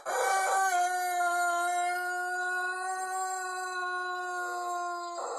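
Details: Crow of a Pelung chicken from Plered in Purwakarta Regency: one long, smooth, steady note held for over four seconds, with rougher sounds at the start and finish.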